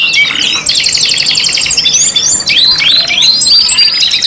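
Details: Singing canaries in a 'pancingan' five-in-one mix: a buzzy trill, then rising and falling whistled phrases and chattering notes, about three per second.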